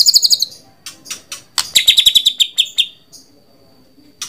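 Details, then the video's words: White-rumped shama giving quick clusters of high, ticking notes and short chattering runs, separated by sharp clicks and brief pauses. "Suara Burung Murai Batu"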